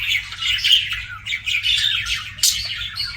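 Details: Pet budgies chirping in a dense, continuous chatter of scratchy high warbles and squawky notes, with brief louder bursts and no pauses.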